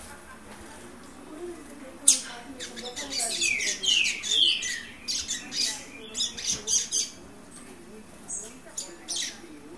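A young double-collared seedeater tries out its song in rambling, scratchy, buzzy bursts of high twittering notes, irregular and unfinished, with faint low voices underneath.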